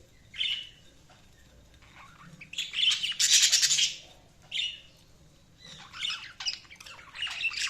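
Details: Budgerigars chirping in bursts of busy, scratchy warbled chatter with squeaky notes, separated by short quiet pauses.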